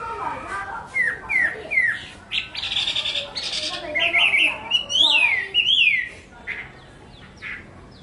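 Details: Song of a Hwamei: short upslurred whistles, some harsher chattering notes, then clear sweeping whistles that fade into a quieter close.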